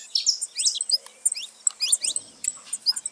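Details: Saffron finches free in nature, gathered together: quick high chirps and short rising whistles tumble over one another in a brief, busy twitter, slightly softer than the surrounding chorus.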